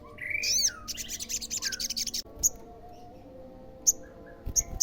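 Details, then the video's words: Olive-backed sunbird singing to lure other sunbirds into replying, opening with swooping, sharply rising and falling whistles and a dense buzzy chatter, followed by isolated high, piercing chips; faint lower whistles in the background. "SEMUA SOGON PASTI NYAUT PASTI GACOR DENGAR SUARA SOGON GACOR INI"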